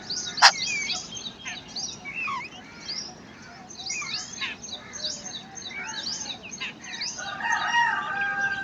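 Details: Wild babbler parent feeding and protecting her chicks; a sharp click, then a busy mix of short rising and falling chirps from several birds, ending in a louder buzzy, harmonic chattering.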